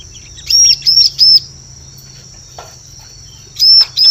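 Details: Bar-winged prinia lure sound, meant for luring birds in forest: three high, thin arched whistles in quick succession, a quiet gap, then two more arched notes near the end.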